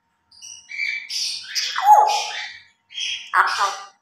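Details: Two pet grey parrots in their morning routine, mimicking human speech: a few speech-like phrases with whistled and rasping syllables, a sliding downward note in the middle, then a short pause before two more bursts.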